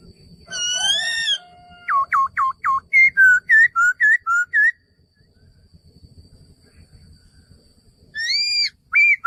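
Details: Male laughingthrush opening with a harsh harmonic note, then a rapid series of about twelve short, sharp whistles that dip and rise. A pause follows before another harsh note and more whistles.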